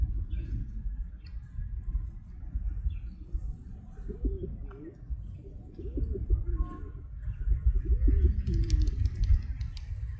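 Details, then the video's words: Pigeon coos in a loose series, deep and rolling, each coo bending up and then down, clustered in the second half at about two per second, with faint chirps and a low background rumble. "Pigeon Sound"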